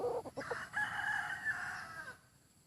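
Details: Rooster with a fine voice, heard in a crow that opens with a few choppy notes, then swells into a sustained, raspy harmonic cry that holds level before trailing off.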